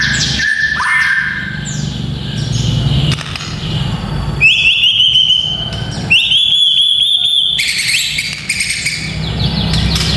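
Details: White-rumped shama song played to train young fighter males: sharp upslurred whistles, then fast warbled trills high up and scattered clicks, over a persistent low hum.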